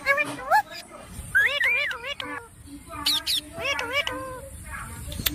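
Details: Talking parrot: high-pitched, speech-like syllables with wavering, rising and falling tones, some sharp squeaky notes, over a low background rumble.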